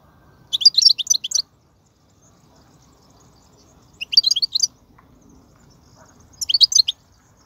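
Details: European goldfinch in the wild, 2019, giving its twittering batbata song: three phrases of fast, liquid, chattering notes, each lasting about a second, separated by quiet pauses with faint low background sound.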